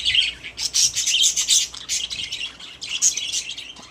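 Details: Caged pet budgerigars chatter continuously with bright, scratchy warbles and quick high chirps, several birds overlapping in a busy stream of sound.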